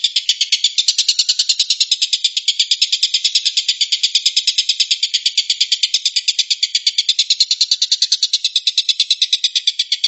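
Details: Woodpeckers (pelatuk bawang and pelatuk beras), played as training sound for songbirds, give a fast, unbroken series of high, dry, ticking notes that run on steadily with no pause. Nothing else is heard.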